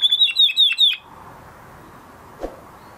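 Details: Male canary singing after its moulting period: a single high, rapid trill of repeated sweeping notes lasting about a second, then quiet room background with a soft knock.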